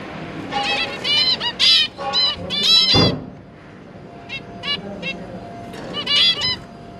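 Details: Zebra finch family, a pair with three newly hatched juveniles, recorded 1 October 2022 while the parents busily feed their young: loud nasal, trumpet-like calls in short bursts and clusters, with a steady faint hum behind.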